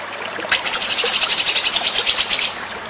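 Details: White-rumped shama song used as a master recording for training: a rapid, even run of about twenty high, bright repeated notes lasting two seconds, with quiet background before and after.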